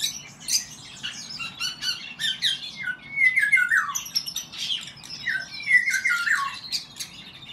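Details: Eurasian golden oriole males in a song duel: loud fluted whistles sliding downward, mixed with harsh squawking notes and busy, high chattering phrases. Several birds sound together and overlap.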